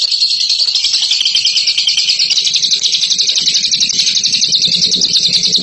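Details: Bird performing a continuous ngekek chatter, described as a champion at it: a rapid, unbroken, high-pitched trilling stream that holds steady throughout with a fast, slightly uneven pulse and no pauses.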